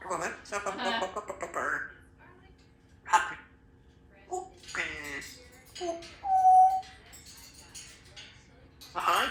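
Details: Female Congo African grey parrot, a pet kept in a country home with other parrots and cats, talking indoors: bursts of speech-like syllables, then a long steady whistled note midway, followed by more chattering phrases in a small room.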